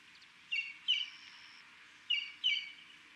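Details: Two pairs of quick, ringing notes from a Buff-crested Bustard at Buffalo Springs National Reserve, Samburu, Kenya, each note with a short falling tail, the pairs about one and a half seconds apart over light hiss.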